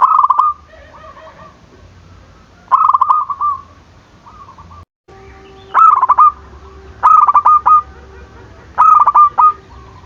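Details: Zebra dove giving repeated cooing phrases to stir rivals to call. Each phrase has a few clipped notes that slur into a sustained soft tone. A brief silent break comes mid-recording.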